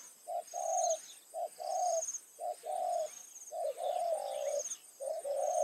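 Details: Spotted dove used as a decoy, calling in the evening at a rice field to lure wild doves: low cooing phrases, a short coo followed by a longer drawn coo, repeated steadily, with faint high insect-like buzzing above.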